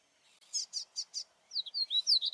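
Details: Double-collared seedeater singing in the wild while displaying: four evenly spaced high buzzy notes followed by a quick series of sliding whistled notes, clear and loud over a quiet background.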